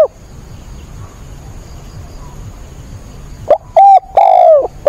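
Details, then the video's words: During a rainstorm on 28 October, a caged decoy spotted dove calls vigorously after a few seconds of steady hiss: one full cooing phrase of a quick note, a level coo, a long falling coo and a short end note. "cu mồi gáy càng sung"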